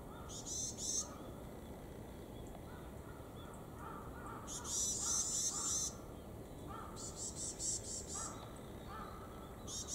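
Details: At Kitamoto Nature Observation Park, a pair of varied tits exchange calls: bursts of high, buzzy nasal notes separated by pauses, alternating with softer, lower, short whistled notes, against a quiet hiss.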